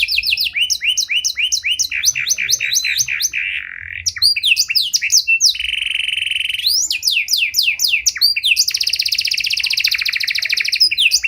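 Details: Panda canary with a luxurious-variation song, used as a lure to provoke and train other canaries: rapid series of bright downslurred notes, a steady buzzy tone, then sweeping slurs ending in a dense, fast high rolling trill.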